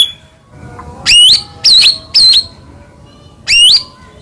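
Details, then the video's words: White-rumped shama, Medan type, giving lure phrases meant to set other shamas singing: four loud, clear whistled notes that bend up and down, separated by short pauses over a quiet background. "murai batu gacor AMPUH buat PANCINGAN murai batu agar bunyi JADIKAN burung murai gacor EMOSI"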